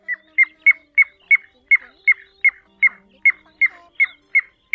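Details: Steady series of short, sharp chip calls, roughly three per second, from a Pacific golden plover recording played as a lure for night net trapping of migrating birds in August 2024.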